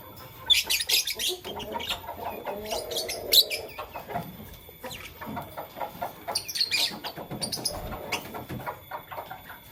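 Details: Fischer's and masked lovebirds chirping in the morning, fast runs of rapid high chirps and chatter, several birds calling over each other with a few louder shrill notes.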